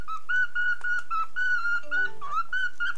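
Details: A 9-month-old cockatiel whistles a tune of clear, steady notes, each held about a quarter-second, following a melody played from a phone, with a brief lower warble midway.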